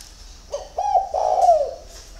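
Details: Early-morning spotted dove giving one low cooing phrase, a couple of short hesitant notes running into a drawn-out, mellow, slightly falling coo lasting about a second.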